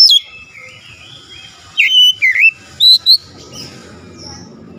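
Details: Oriental magpie-robin (kacer) singing to stir other kacer: a drawn-out falling whistle, a quiet gap, then a few short bright downward-sliding notes and a last high whistle near the end.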